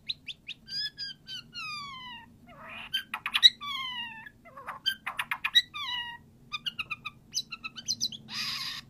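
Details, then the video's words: White-rumped shama singing, played to coax a quiet bird into answering: varied whistled phrases with long gliding downslurs, short rapid trills and clipped high notes, ending in a burst of harsh rasping sound. "PANCINGAN MURAI BATU AGAR IKUTAN NYAUT!!!"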